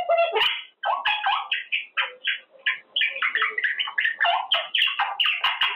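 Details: Pet male Quaker parrot practicing learned words during cage time: a quick string of short, hoarse, speech-like syllables at varied pitch, with faint clicks between them.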